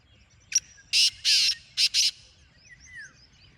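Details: A black francolin giving a single harsh call: a brief sharp note, two long buzzy grating notes and two shorter ones, followed by faint chirping of other birds.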